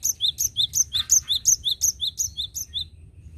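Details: Cinereous tit in full song, recorded for use as a lure: a brisk, evenly repeated two-note phrase, a high note then a lower one, about three times a second, over a low steady hum.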